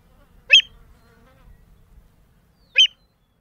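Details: American Avocet feeding on the Albany mudflats in mid-October 2013: two short, sharp, loud single notes about two seconds apart, each a quick clipped burst, with near silence between them.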